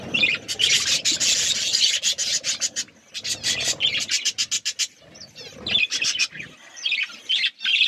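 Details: Budgerigars in a flock eating food, with raspy scratching bursts and rapid clicks broken by short pauses, over high twittering chirps and occasional squeaky whistled notes.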